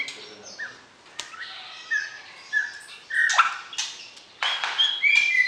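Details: Captive white-rumped shama sounding to arouse the opposite sex during pairing, before entering the breeding cage: a varied run of short whistles, slurred notes and harsh bursts, growing louder and denser toward the end.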